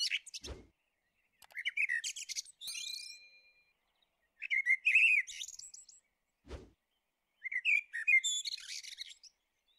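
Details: Common blackbird singing: low, mellow warbled phrases that end in high squeaky twitters, three phrases with pauses between, plus two brief low thumps.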